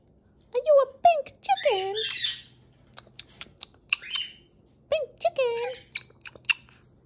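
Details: Pet galah mimicking human speech in a room: scratchy, speech-like phrases mixed with short squeaks and clicks, delivered in two bursts separated by quieter pauses, after a person asks it a question.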